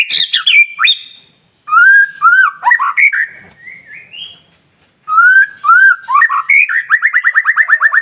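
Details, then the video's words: White-rumped shama song meant to stir other shamas' aggression and get quiet birds singing, heard day and night: rich, varied whistled phrases with upward sweeps, ending in a fast run of about a dozen repeated chirping notes. "murai batu gacor SIANG MALAM GACOR TERUS, Cocok Untuk Memancing Emosi Burung Murai NGELOWO"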